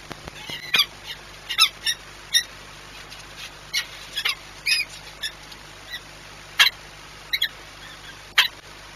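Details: Spaced, high, harsh calls of a peregrine falcon during courtship at Płock on 6 March 2021, single notes and short pairs separated by quiet gaps of about a second.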